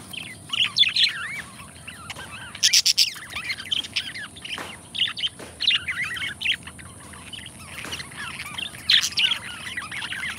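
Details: Two pet budgerigar friends trade lively, rapid chatter. Twittering runs are mixed with clicky buzzes and sharp chirps in irregular bursts throughout.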